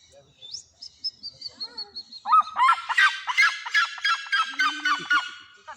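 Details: A male captive Red-legged Seriema at Bridlington Animal Park, Yorkshire, UK, prompted by his keeper's whistling, gives his loud, yelping alarm call, harsh gull-like notes about three a second, building after thin whistles; a person murmurs briefly.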